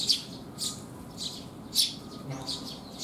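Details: Sparrows coming to be fed on a rainy June day in 2021; scratchy chirps every half second or so, some louder and nearer, with faint background hiss.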